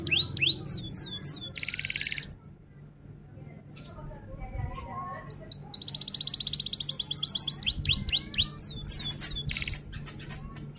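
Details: Actively singing F1 canary, rol tembak style: fast upswept whistles and a dense buzzy trill, a quieter pause with faint low chatter, then another long bright rolling trill breaking into repeated rising sweeps.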